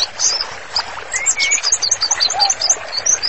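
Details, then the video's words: Short run of white-rumped shama song used for training: quick, high, scattered chirps around a couple of lower, smooth whistles, with soft background noise. "MURAI BATU GACOR, MASTERANNYA COCOK BANGET UNTUK TERAPI"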